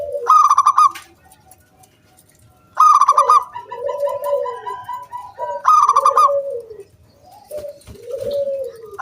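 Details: Zebra dove of local stock singing to entice other doves to join in: three strong trilled bursts, the gaps filled with mellow descending coos and a faint thin repeated tone.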